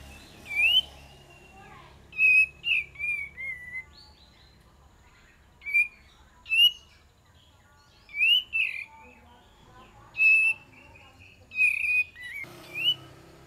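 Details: Kapas tembak song used as a lure: repeated whistled phrases in pairs and short clusters, sweet slurred notes rising and dipping, returning every couple of seconds across the recording.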